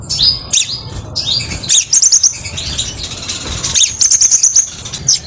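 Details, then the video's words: Crimson sunbird song used as a lure and as a model for training. Shrill, high twittering bursts and rapid trilled runs follow each other with short gaps. "masteran dan pancigan kolibri sepah raja, suara jernih"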